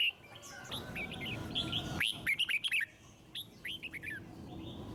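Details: Red-whiskered bulbul song, offered to spur other birds into singing: short whistled phrases of upslurred and downslurred notes, a loud rapid cluster mid-way, then a few softer chirps, over faint background hiss.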